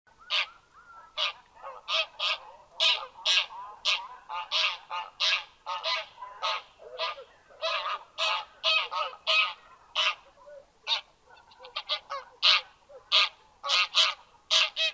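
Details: Goose giving loud, harsh honks in rapid series, roughly one or two per second, each a short nasal blast; a steady stream of repeated calls with brief pauses.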